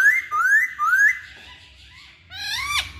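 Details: Hwamei whistling three rising slurred notes in quick succession, a short quiet gap, then a buzzy, harmonic-rich note that swoops sharply down and back up.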